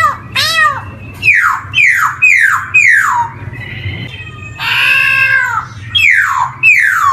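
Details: Black-throated laughingthrush, or poksay hongkong, on a lure recording for newly singing young birds: a series of falling, mewing slurs repeated roughly every half second, broken by a harsher, rasping burst, over a faint hum.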